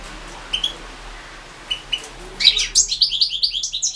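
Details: European goldfinch competition recording from the 2016 Carduelis Balcanica World Championship in goldfinch song, held over the internet: after quiet near-silence with a few thin high notes, a bright, rapid twittering burst of trills and chirps begins and continues.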